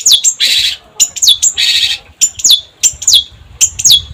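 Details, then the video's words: Long-tailed shrike in chatty full song: high whistled notes sliding down from very high pitch, alternating with harsh, buzzy rasping bursts, several phrases in quick succession. "Pancingan Cendet Gacor"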